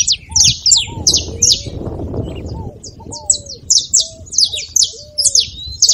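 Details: Saffron finch song, played to stir a reluctant canary into singing: rapid series of sharp, high, downslurred chirps, some buzzy, in quick bursts, over softer low whistled notes from another bird and faint background rumble.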